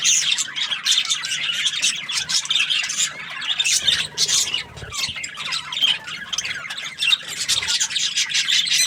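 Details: A budgerigar in a happy mood keeps up rapid high chatter, squeaky chirps and scratchy warbles packed closely together, with few pauses.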